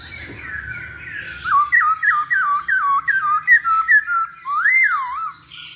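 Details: Masked laughingthrush song used as a lure to make other birds sing: a run of about ten loud, clear whistled notes, each sliding down then up, repeated rapidly, ending in a longer rising-falling whistle.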